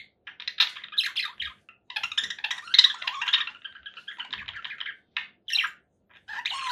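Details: Dense, raspy chatter of a conure parakeet, long grating squawk phrases broken by short silences, with a sharper screech near the end.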